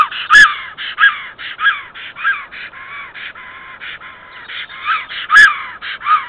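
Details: A female black stork at her nest in Estonia on 8 April 2014 at 10:55 calls for her mate, who is late back from migration: a steady series of hoarse, wheezy calls, about two a second, with two sharp clicks.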